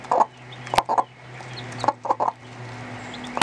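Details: Mother hen in a little coop calls her 2.5-day-old chicks to food she has found while teaching them to eat and drink: clusters of short low clucks, some doubled, with sharp clicks and a steady low hum behind.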